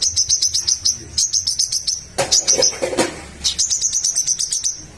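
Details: A spiderhunter in full voice, with the song played to make rival birds answer. Rapid strings of thin, piercing chip notes repeat in short bursts. A short rustling, clattering noise interrupts near the middle.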